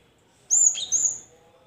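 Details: Cinereous tit singing to spur silent caged birds into answering: one sharp high whistle dropping into a lower slurred note, then a second high whistled note, over a quiet background.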